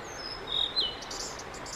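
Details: Singing male Blue-and-white flycatcher, recorded 5 May 2022 while performing for around fifteen minutes before several photographers: high descending whistles, then a held pure note that breaks sharply downward, followed by soft distant chirps.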